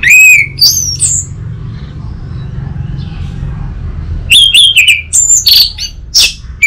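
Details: Orange-headed thrush, lure and master song for training an untrained young bird. A few high whistles and rising notes open it, a pause with low hum follows, then a fast, varied burst of trills, squeaks and piercing whistles.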